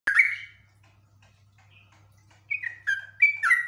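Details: Yellow-vented bulbul, described as highly agitated and singing persistently in long rapid runs: one loud bubbly phrase, a near-silent gap, then a quick burst of four short, dropping warbled notes over a faint steady low hum.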